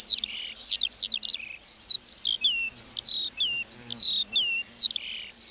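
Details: Meadow lark song, an unbroken run of quick, high chirps, slurred whistles and buzzy trilled phrases tumbling one after another without pause, over a quiet low background hum.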